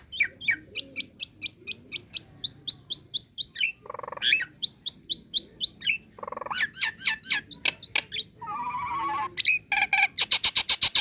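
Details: A female Nias hill myna calling a male, a recording for luring birds: repeated loud whistled notes about four per second, with harsh rasping breaks, a low warbled phrase, and a final fast burst of sharp notes.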